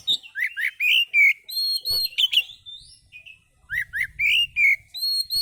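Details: Relaxed song of an Oriental magpie-robin meant to lure other birds: rich, varied whistled phrases with rising and falling slurs and sharp chips, a short pause, then another burst of sweet, looping whistles.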